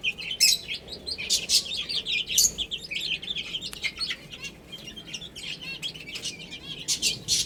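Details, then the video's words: A group of chicks eating and drinking, chirping continuously with overlapping high, sharp peeps and occasional louder clicky pecks. "Cute Chicks Chirping Sounds"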